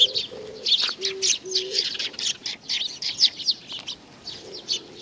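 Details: Sparrows visiting for food at Tenmangu shrine in Nakanoshima, 7 June 2020, chatter in dense high chirps while a pigeon coos in short low phrases at the start.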